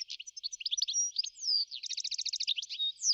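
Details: European goldfinch chattering in quick, liquid chirps, with a single slurred whistle, then a fast even run of about a dozen repeated ticking notes before more twittering at the end.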